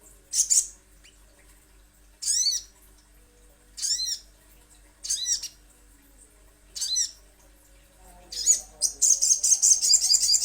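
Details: Spaced, arched, slightly nasal high notes from a little spiderhunter, repeated about every one and a half seconds, ending in a fast run of sharp high chips.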